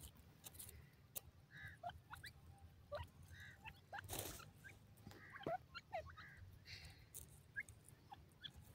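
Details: Grey francolin chicks in their first days in the jungle: soft, high peeps and short falling whistles scattered through the clip, over rustling, clicking handling noise, a loud thump midway and a low background rumble.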